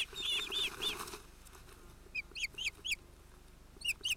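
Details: At an osprey nest on 31 July 2018, chick Sisu (probably male) interrupts adults Ossi and Alma, giving short, high whistled chirps that rise sharply, first in a quick cluster, then spaced about a third of a second apart, over a rustle of wings.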